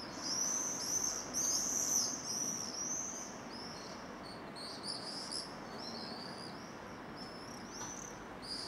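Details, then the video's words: Common swifts screaming at nearly 9 pm on 15 July 2017, caught on a Panasonic HDC-SD60 camcorder: shrill, high, buzzy screams in dense bursts, loudest over the first three seconds, then thinner and scattered against steady background hiss. "Rorýs obecný - Apus apus - Swift - Mauersegler - Vencejo común"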